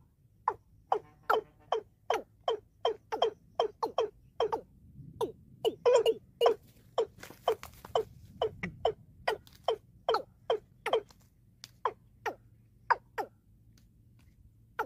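A watercock gives a long run of short, hollow knocking notes, about two or three each second.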